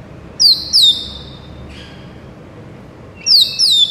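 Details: White-rumped shama giving two pairs of high, clear, down-slurred whistles, each pair followed by a long pause; used to prompt other shamas to answer within seconds.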